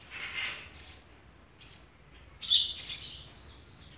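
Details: Sparrow parents feeding young in June 2020: scattered high chirps, a rough buzzy note at the start and a sharp, louder chirp later, with quiet gaps between.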